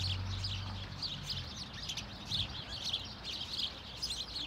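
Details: Many house sparrows give call notes in Hedbergska Park, Sundsvall, on 26 November 2023: a busy overlapping chorus of short, bright cheeps, with a low hum of distant traffic underneath.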